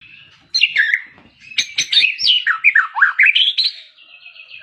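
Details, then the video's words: Magpie-robin song: after a brief quiet start, a rapid run of varied whistled notes sweeps up and down with sharp chirps, ending in a steadier high warble. "denger suara burung murai ini murai kalian pasti gacor"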